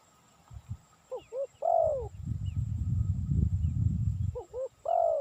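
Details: Spotted dove calling, with sound intended for luring: two short low hooting notes followed by a longer, drawn-out falling coo. The three-note phrase is heard twice, with a loud low rumbling noise between the phrases.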